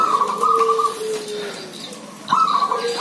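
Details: A flock of zebra doves calling: a fast stuttering coo trill, then a quiet pause, then another trill begins. A lower falling whistled note sounds beneath the first phrase.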